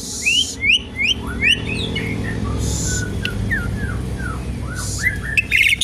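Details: Asian pied starling song used as a lure and to teach other birds: varied whistled notes, rising slurs and chirps, with bursts of harsh hissing noise and a steady low hum beneath.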